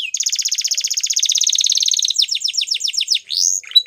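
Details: Waterslager canary delivering a long, steady, rapid trill for about two seconds, followed by quicker descending sweeps and a final rising whistle.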